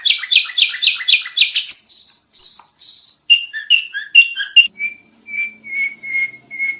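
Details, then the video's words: Masteran-style tutor song of a sooty-headed bulbul, very loud: a rapid run of rich chirps gives way to clear whistled slurs and chattery notes, then thin single whistles spaced about half a second apart. "Kicau Kutilang Masteran Edan Brisik Banget"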